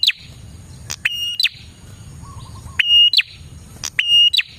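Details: Prinia song for luring other prinias: steady high whistled notes, each ending in a falling flick, given in bursts. A brief lower trill sounds in between, over a faint low background hum.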